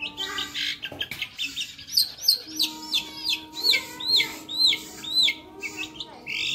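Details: Long-tailed shrike (cendet) in vigorous gacor masteran song with lively fill: sharp arched whistled notes and buzzy chirps repeating about every half second, with a steady low hum in the background.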